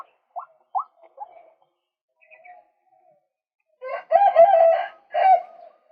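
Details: Male white-breasted waterhen, recorded for use as a lure to attract birds: a few short, quiet rising notes, a brief pause, then loud, harsh, croaking bursts with a rich, nasal tone over the final two seconds.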